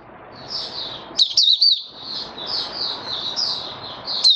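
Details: Caged male white-eye steadying his form while opening into song: a continuous, high, thin twittering warble of quick rising and falling notes, with a few louder sharp phrases around the middle and at the end, over faint background hiss.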